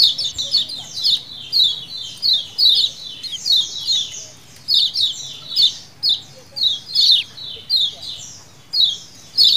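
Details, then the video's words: Lemon-bellied white-eye colony calls, the 'ciakan' type played as a lure: steady stream of thin, downward-sweeping chirps from many birds, bunched into bursts roughly every half second to second. "CIAKAN KECIAL KUNING KOLONI ALA ALAM BEBAS"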